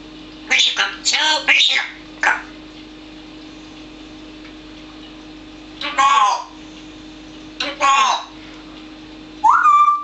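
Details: Parrot Manus, who never stops talking, chatters in short bursts of harsh, speech-like phrases, ending in a rising whistle; a steady hum runs underneath indoors.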